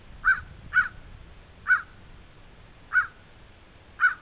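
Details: Crows fighting, giving five short harsh caws spaced unevenly over about four seconds, each a brief burst; faint low rumble of background noise underneath.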